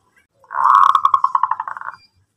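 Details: Zebra dove of local type in full song, meant to prompt other doves to reply: one rolling phrase of about one and a half seconds, starting as a blurred coo and breaking into quick, evenly spaced beats that slow and fade.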